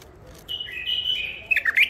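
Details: Wild-caught bulbul from the Mandali area, newly caged and an old catch, singing a drawn-out whistled phrase that slides downward, then ends in a few sharp rising and falling notes. The background is quiet.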